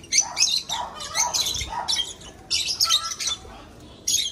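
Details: Breeding lovebirds kept in an aviary give harsh, high screechy squawks in short clustered bursts, several in quick succession with brief pauses between groups.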